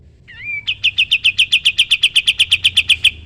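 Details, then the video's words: Song of a sooty-headed bulbul in 'tembak' (shooting) style, used as training material for cage songbirds: a brief wavering whistle leads into a steady, rapid volley of about eighteen bright repeated notes. "Masteran burung kapas tembak gacor"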